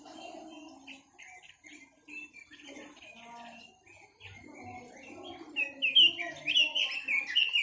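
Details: Chinese hwamei song that begins with quiet scattered notes over low murmuring sounds, then builds into loud, rich, varied whistled phrases repeated quickly near the end.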